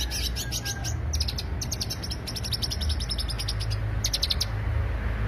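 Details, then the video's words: Lure recording of greater green leafbird song, with clusters of thin, high chirps repeated quickly in short bursts, softer in places, over a persistent low hum. "pancingan suara cucak hijau"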